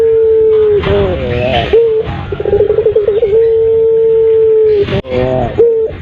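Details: Puter pelung dove call played to lure other birds, a sustained smooth low tone ending in a trilling, quavering flourish, then a rolling warble and another long held note.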